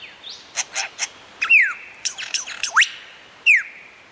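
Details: Lyrebird of Australian forests mimicking to attract females: crisp clicking taps, then loud down-slurred and sharply rising whistles mixed with rapid chattering notes, clear and close.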